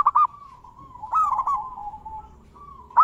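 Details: Zebra dove lure song with big and crystal voice variations: short rolling coo bursts separated by a quiet, level drawn-out hum.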